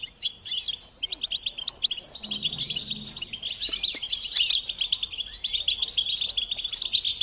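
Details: European goldfinch singing a long twittering phrase of quick, high, tinkling notes and short rattles, steady after an opening pause, with a faint low hum briefly underneath.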